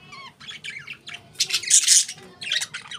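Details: Pet budgerigars chirping: a run of bright, scratchy chirps and short squawks, with the loudest, harshest burst in the middle and lively chatter again at the end, over a faint low hum.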